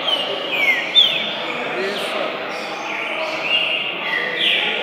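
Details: A one-year-old green-winged saltator (Saltator similis) on its first outing from home to a bird gathering gives loud, slurred whistled phrases sweeping downward about once a second, over murmuring background noise and voices.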